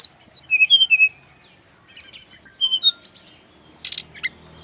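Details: Male brown-chested jungle flycatcher song used for training birds: quick descending whistles in a series, a pause, then a chattering phrase of repeated notes and a brief harsh burst.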